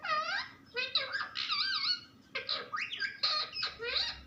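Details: Talking parrot chattering almost continuously, its wavy, harmonic syllables dipping and rising in quick succession, with only short gaps between phrases.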